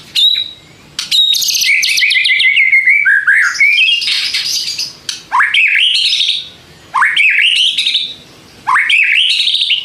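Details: White-rumped shama, a kept songbird, singing loud varied phrases used to provoke other shamas into answering: rapid high trills, whistled slurs and sharp rising notes in bursts separated by short pauses.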